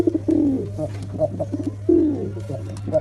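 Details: Black pigeon cooing, low arched coos near two seconds long repeated twice with short clipped notes between, steady low hum throughout.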